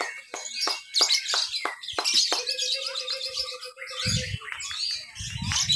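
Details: Lovebird ngekek song at a Papua training contest, Lovebird B mixed class, Sunday 31 October 2021. Sharp staccato chirps, then a long steady buzzing trill, with bursts of low crowd murmur near the end.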